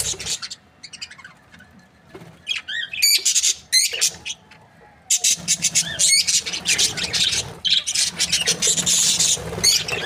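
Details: Happy breeding pair of budgerigars: scattered high chirps and squeaks for the first five seconds, then a dense, continuous stream of fast twittering chatter.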